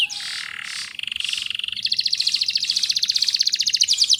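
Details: Canary singing to encourage young birds to sing; a short buzzy phrase and a steady mid-pitched roll give way to a fast, even, high trill pulsing many times a second.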